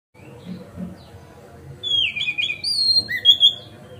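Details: Oriental magpie-robin (kacer) singing a relaxed, loud gacor ngeplong style song, used to prompt other magpie-robins to spread their tails; after a murmur of background noise, clear drawn-out whistles and a falling slurred phrase.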